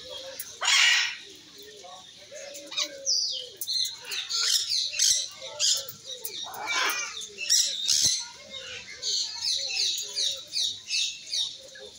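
A Triton cockatoo gives harsh, screechy squawks in quick bursts, mixed with lower, speech-like chatter and short mimicked words.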